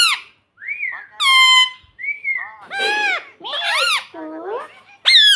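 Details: A pet ring-necked parrot mimics "mummy" with varied whistled glides and harsh, nasal squawked syllables in quick succession.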